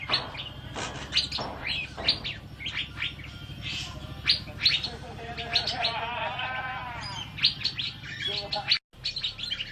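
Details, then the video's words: Asian fairy-bluebird song, recorded as tutor audio for training birds: varied high chirps and whistles, a longer warbling, sweeping phrase in the middle, and a brief cut-out near the end. "Burung Cucak Biru Gacor Untuk Masteran"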